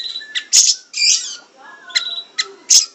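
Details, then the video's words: Siri-siri bird recorded for training caged songbirds through its fast, dense song. Separate loud, sharp high chips and short buzzy bursts sound at irregular intervals over faint, soft lower chattering. "Burung Siri Siri gacor dor Sped Rapat full isian"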